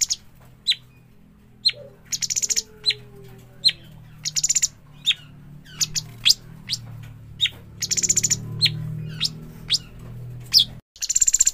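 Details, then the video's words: Juvenile cucak cungkok bulbul repeating short sharp descending chirps and fast rattling buzzy bursts at irregular intervals, with a soft low hum and a faint sliding tone in the background. "burung cucak cungkok trotolan"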